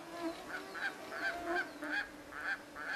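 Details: White gyrfalcon at its nest during the breeding season somewhere in Siberia, giving a run of harsh, nasal, evenly repeated notes, roughly four per second, over a steady background hiss.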